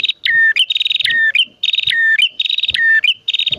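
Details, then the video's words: A pair of bar-winged prinias, male and female, in loud continuous song used as a lure: buzzy high trills alternating with lower drawn whistles, about five phrases in under four seconds. "Burung Prenjak Jantan Betina Gacor Dor"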